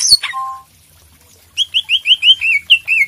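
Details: Greater green leafbird (cak ijo) in energetic song, used as master song to prompt a silent bird: a high sharp note, a brief two-tone whistle, then a rapid run of clear down-slurred whistled notes.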